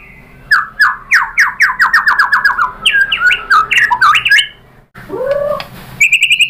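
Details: White-rumped shama song used to provoke other birds into singing: fast runs of descending whistled notes, then a varied jumble of rising and falling phrases, a pause, a low swooping note and a high trill.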